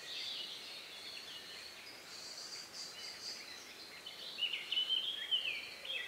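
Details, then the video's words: Countryside dusk chorus minutes before night on May 2, 2020, around 9 p.m.: a quiet wash of distant high bird notes, then a louder clear whistled warbling phrase in the final two seconds. "relax sound of bird in the evening"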